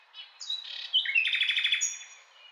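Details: Brief burst of common nightingale song, a high whistle, a sliding note, then a fast rhythmic rattle of evenly spaced pulses ending in a thin whistle.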